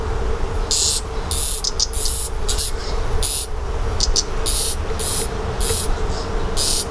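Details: Redstart fledgling being fed by its parents, giving hissy, high-pitched begging bursts about twice a second with short pauses, over a steady low hum.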